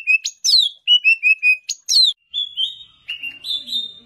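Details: Champion greater green leafbird (cucak ijo) in a full-fill training song: sharp high downslurred notes alternating with short steady whistles, then longer level whistles rising in pitch toward the end, in a clean quiet setting.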